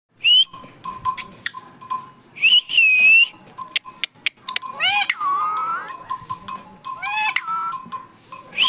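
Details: Green parrot talking, described as having come into a maize field; loud, rising whistled notes and harsh, rapidly bending harmonic squawks repeated through the clip, with steady faint clicks and ticking in the background.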